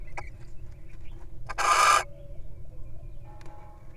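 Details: Little owl in the wild at its nest while incubating eggs, pausing to feed on a mouse; one loud, rasping hiss lasting about half a second rises from a quiet background with low hum and a few soft taps.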